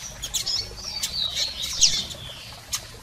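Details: Double-collared seedeater calls from females and males, aimed at firing up a male: thin high whistled chirps and a sliding squeak in the first two seconds, then a single sharp tick.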